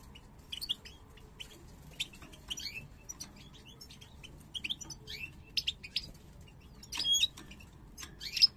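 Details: Pair of parva goldfinches born in 2022, coming into breeding condition, heads stretched like snakes. Sparse, crisp high tweets and chips spaced irregularly over a quiet background, with a denser twittering burst near the end.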